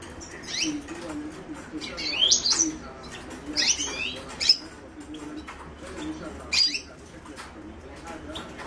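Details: Himalayan goldfinch (Carduelis caniceps) singing in short, separated bursts of bright twittering notes that sweep up and down, with quiet gaps between phrases and a soft low hum underneath.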